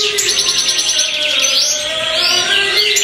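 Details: Black-mutation European goldfinch in full song: quick tinkling twitters and buzzy trills with swooping up-and-down slurs, delivered without a break, a low steady tone running faintly underneath.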